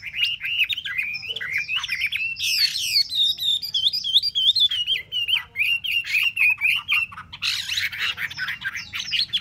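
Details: Song of a caged Chinese hwamei kept for three months: loud looping whistled phrases that rise and fall, broken by brief harsh bursts, continuing as a varied rapid warble with repeated notes.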